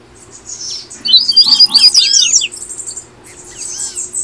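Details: Tui tui song of the double-collared seedeater, played so caged birds start singing: a loud tangle of bright, rising and falling whistles and short twitters in the middle, softer curved notes either side, low steady hum beneath.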